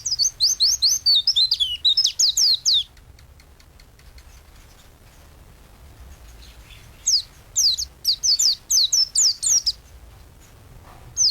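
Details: Two bursts of energetic white-eye song, recorded for training songbirds: fast, high, downslurred twittering lasting about three seconds, a quiet pause of four seconds, then another quick run of falling chirps.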